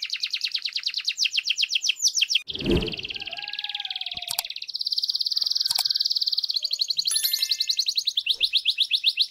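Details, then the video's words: Canary mating song of rapid repeated notes and a sustained high buzzy trill, briefly broken by a loud broadband thump or rustle, then resuming with rolling trills and a few faint chirps. "استمتع بأجمل تغريدات الكناري Enjoy the best canary tweets"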